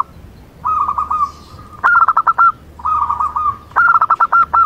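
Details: A local zebra dove sings two phrases. Each is a soft, rolling purr followed by five or six short, clipped coos on a steady mid pitch. Nothing else is heard.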